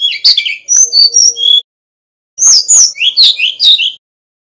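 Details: Brown-chested jungle flycatcher, a male from Bali, in full fluting song: quick high whistled notes, twittering and sliding, in two bursts split by about a second of quiet.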